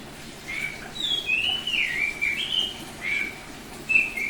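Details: Bali-type oriental magpie-robin, semi-tame yet singing eagerly in 'ngeplong' style, delivers clear whistled phrases: rising and falling slurs, a dipping note, then short level whistles spaced by pauses.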